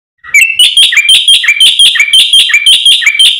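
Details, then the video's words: Black-winged myna in fast, full song, played as a lure to coax silent or stressed mynas into singing: bright, harsh whistled notes with a sharp upper tone, repeated about twice a second in a steady, lively run. "suara masteran jalak putih gacor full isian cepat untuk pancingan burung jalak macet bunyi"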